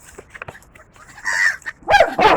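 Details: Gulls calling: faint scattered short notes and a buzzy, drawn-out note mid-way, then two loud, harsh, strongly harmonic squawks close together at the end.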